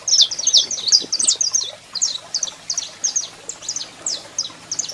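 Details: Saffron finch pair, the male singing and the female calling: dense bursts of high, sharp twittering notes, packed tightly at first, then spaced into regular chirps about three per second.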